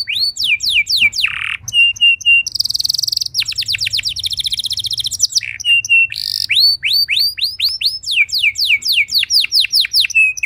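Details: Canary singing to spur other canaries into song: long varied sequence of rapid downslurred whistles, buzzy rolls and dense trills repeated about four times a second, over a faint low background hum.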